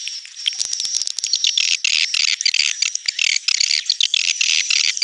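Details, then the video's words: Many swiftlets calling together in a 'netral' (neutral) style sound: crowded bursts of thin, high chirping and chattering, nearly unbroken, over a faint constant high-pitched tone. "SUARA BURUNG WALETNETRAL soUND"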